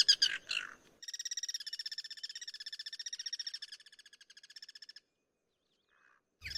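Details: Guira cuckoo (Guira guira) in natural surroundings: a few harsh rough notes, then a four-second run of rapid, buzzy rattling pulses that fades slightly before ending, followed by silence and a sudden noise.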